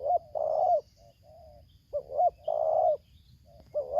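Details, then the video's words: Spotted dove used as a lure bird in Lampung, 'tarik akar selang nguku' song: a long buzzy coo, soft short notes, then a phrase of two rising coos and another drawn-out coo. "Aksi Pikat vs BL Idaman suara tarik akar selang nguku"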